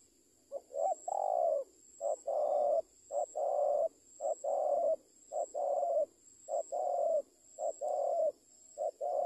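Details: Spotted dove being trained coos persistently, about eight phrases in nine seconds, each a short lead-in note then a longer, gently falling coo, delivered at an uneven but steady pace against a thin constant hum.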